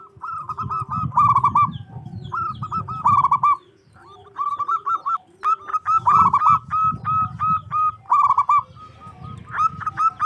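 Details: Local zebra dove with a big, ringing voice, kept to draw other doves into answering; bursts of fast repeated coo notes, some rolled, separated by short pauses, over low background rumble.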